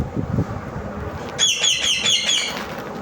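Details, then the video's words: Parrot calling over steady background rumble: a short run of about five harsh, ringing, evenly repeated notes in the second half. "parrot sound"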